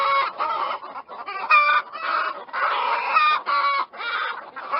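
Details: A flock of mixed-breed chickens gives dense, steady clucking, with many birds calling at once in rough, nasal bursts that swell and dip roughly every second.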